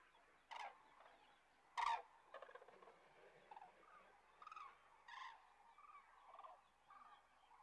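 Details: Resting common cranes south of Kastlösa in September 2013 give loud, rolling, trumpeting calls in short bursts about every second, with several birds of the flock calling at some distance.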